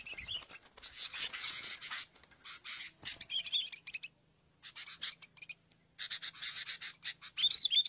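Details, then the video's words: A sooty-headed bulbul used for bird-trapping lure gives bright chirps and bubbly whistled notes in bursts, mixed with harsh scratchy rustling and brief pauses. "pikat BURUNG KUTILANG"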